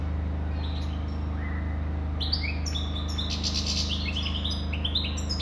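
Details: European goldfinch starting with a few soft notes, then breaking into a dense, fast stream of high, jangling twitters and trills from about two seconds on. A low steady hum is underneath.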